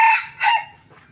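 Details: {'caption': "Young male red junglefowl from Tha Som, Nam Som, Udon Thani, Thailand, giving a 'cut' crow: two short harsh harmonic bursts, the second slightly longer and dropping at its end, then quiet."}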